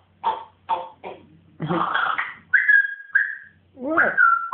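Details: Pet African grey parrot getting excited: three short squawky clucks, a harsh raspy screech, then several clear whistled notes, the last one rising and drawn out.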